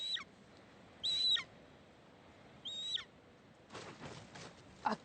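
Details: Golden eagle at a deer carcass, UK, winter (January 2021), gives three thin, high, whistled yelps, each dropping at the end, a second or two apart, then rustling and flapping as a second, larger bird, probably a female, arrives.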